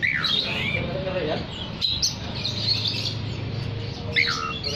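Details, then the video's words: Singing oriental magpie-robin used to call other magpie-robins: descending whistled slurs at the start and end, a sharp click midway, and softer high warbling between, with a low hum. "Terapi Suara kacer gacor untuk memanggil kacer lain dijamin langsung ikut bunyi"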